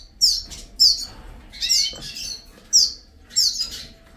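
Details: A captive male Venezuelan tarim in a breeding cage sings bursts of high, sharp twittering notes in quick phrases while the female incubates eggs due to hatch within a day or two; males sing during incubation.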